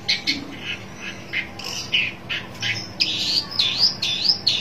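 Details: Long-tailed shrike on the lookout for a rival gives rough, rasping squawks about every half second, shifting to loud, wavering high whistled slurs near the end, over a low background hum.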